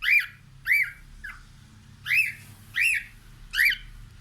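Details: Pet cockatiel looking out a window, giving loud squawky whistled calls that rise and fall, six notes spaced about half a second to a second apart, with a faint low hum underneath.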